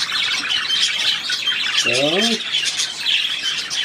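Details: Budgerigar warble from 3 April 2017, a steady stream of high buzzy chirps, broken near the middle by one lower, wavering harmonic sound lasting about half a second.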